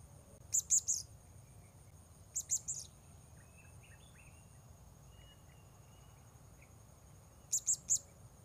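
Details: Blue-crowned hanging parrot recorded while wild birds are lured: three bursts of quick, piercing high notes, three notes each, with a long quiet gap before the last, plus scattered soft lower chirps over steady noise.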